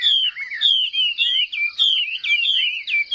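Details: Chinese hwamei singing competitively in a cage with fanned tail: bursts of sharp descending whistles in short phrases, repeated in quick succession with brief pauses.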